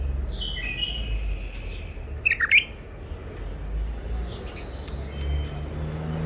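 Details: Captive bulbul, caught wild near Mandali: soft level whistles open, followed by a loud, sharp burst of rapid slurred notes, with faint later whistles over steady low rumbling noise.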